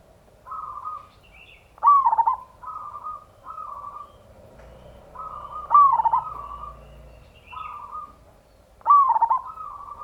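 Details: Local zebra dove song in the ngayer kerot nutut style, played as a lure to make other doves sing. Three full phrases, each opening with mellow coos and breaking into a loud, stuttering rolled note, repeat every three to four seconds.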